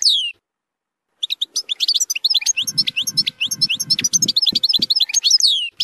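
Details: European goldfinch song in the zilzal style, used for tutoring young goldfinches, with strong nahrat phrases: a brief high note, a pause, then a dense, fast run of twittering, tinkling notes over soft low thumping.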